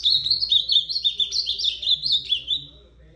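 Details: Clean, loud phrase from an ultramarine grosbeak: a quick series of bright whistled notes wobbling up and down, gradually sliding lower before fading out.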